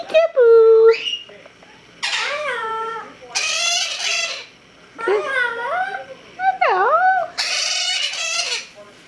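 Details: A white-fronted amazon talking and saying hello: six speech-like bursts over nine seconds, mixing a low hooted tone, raspy word-like phrases and a swooping whistle, in a quiet room.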